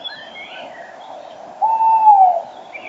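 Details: Tawny owl male very close to the recorder at dawn, 5 March 2013, with a female farther away. One drawn-out, steady hoot that falls slightly at the end. Soft song from other birds of the morning chorus underneath.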